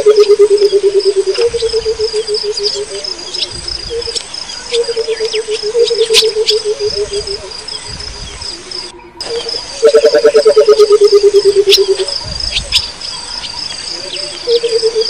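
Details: A wild Burchell's coucal gives low, bubbling hoots that tumble down the scale, with insects shrilling behind.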